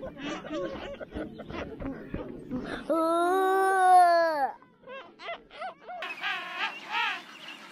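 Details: At the large king penguin colony at Volunteer Point, Falkland Islands, a king penguin gives a loud, rich trumpeting call lasting over a second and wavering in pitch, amid colony calls and tourists' voices.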